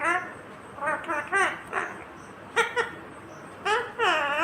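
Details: Indian ringneck parakeet, a green parrot, talking: short voice-like phrases with rising and falling tones in bursts, a brief pause, then a longer drawn-out utterance at the end, in a quiet setting.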